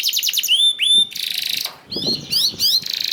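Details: Canary singing as a lure for other canaries: quick trill, then drawn-out pure whistles, a harsh buzzy burst, a short gap and sharp rising notes with more buzz, with soft low thumps.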